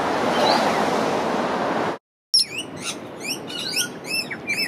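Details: Rainbow lorikeets feeding on nectar from native umbrella tree flowers in Australia give a rapid flurry of shrill, squeaky screeches and chirps, several birds overlapping; a rush of wind or surf precedes a brief gap.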